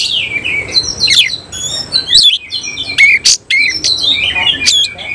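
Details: Tail-spreading oriental magpie-robin (semi cililin) delivering a rapid, dense run of song: overlapping whistles, descending slurs and sharp clicks and chips with hardly any gaps.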